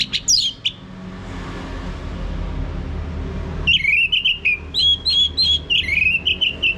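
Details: Lure song of an orange-headed thrush, meant to make a male sing ngeplong. A few high sweeping whistles open over steady low background hum. After a quiet gap, a fast run of short chirping notes repeats about three per second.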